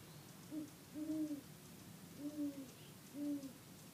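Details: A male great horned owl in trees below, Palos Verdes, California, near sunrise on Labor Day weekend 2013, gives deep, soft hoots: a brief opening note, then three longer, level hoots about a second apart, over quiet hiss.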